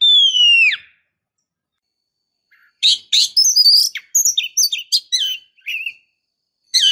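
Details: Female oriental magpie-robin calling to excite a male into singing: one long descending whistle, then a quick string of sharp chips, high twitters and short whistled notes.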